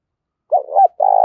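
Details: Spotted dove lure bird of the thổ voice style calling to provoke fighting: a short double hoot and the start of a long trembling coo, cut off by a sharp click.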